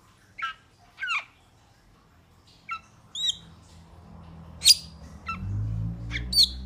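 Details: Metallic starling giving scattered sharp chirps and whistled notes, spaced irregularly, some buzzy and some clear high pings, with low rumbling noise building toward the end.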